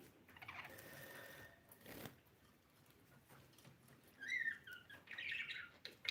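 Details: Blue pet budgerigar, mostly quiet at first with faint room noise, then a run of quick, warbling, rising and falling chirps and chatter toward the end.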